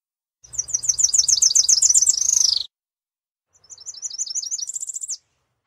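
Tropical parula song: two high, buzzy trills of rapid notes, each ending in a quick rising flourish, separated by a second-long pause.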